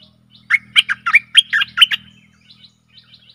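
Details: Stripe-throated bulbul song for luring aggressive wild birds: a run of eight lively, gurgling notes over a faint low hum, then a few scattered soft notes and a final chirp.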